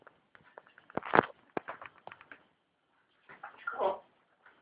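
An African grey parrot talks in two bursts of clipped, voice-like syllables with a short silent pause between them, in a quiet indoor room.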